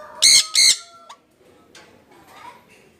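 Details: Jenday conure pair kept together: two piercing harsh screeches back to back, a brief rising whistle, then faint soft chatter in a quiet room.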